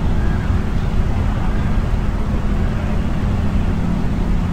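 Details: Loud, constant low wind buffeting at a nest camera in March drowns everything, with no animal voice heard.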